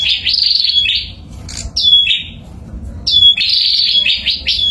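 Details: A pair of bar-winged prinias calling actively: high, buzzy, scratchy chirps in bursts of about a second, pausing and then resuming, over a low background rumble.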